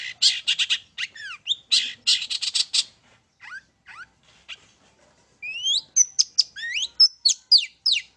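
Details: Long-tailed shrike singing in one spot as a lure for other birds: loud rasping chatter, a quieter pause of thin notes, then quick upward-sweeping whistles repeated rapidly.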